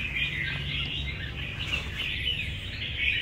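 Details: A caged Red-whiskered Bulbul, filmed up close on a phone, sings a steady run of bright, warbling, chattering notes at mid-high pitch, over a low background hum.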